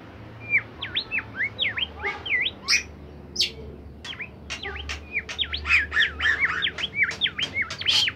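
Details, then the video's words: Bimoli bird singing very melodiously and actively, used as a training recording for songbirds: a lively run of clear whistled notes that sweep down then up in V shapes, mixed with short buzzy bursts, over a low hum. "masteran burung bimoli sangat merdu dan gacor"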